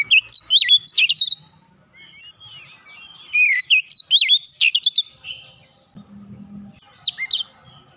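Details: Kacer song, the Oriental magpie-robin, delivered 'nembak rapat': fast clusters of high whistled and buzzy notes, then softer twittering and a short low hum before a final brief burst.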